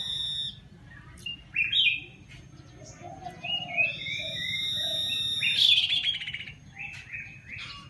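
An iora sings a lively string of clear high whistles, rising slurs and quick chattering trills, several notes each second, over faint background hiss.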